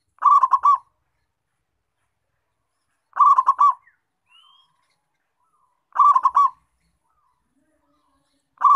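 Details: Energetic local zebra dove calling, played to attract wild birds of its kind: quick trilled coos of four notes recur about every three seconds, with a faint thin whistle between two of them.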